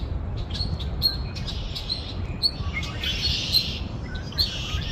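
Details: Several birds chirping outdoors, with short high whistled notes and twittering bursts scattered through, some clustered calls near the end, over a constant low rumbling background noise.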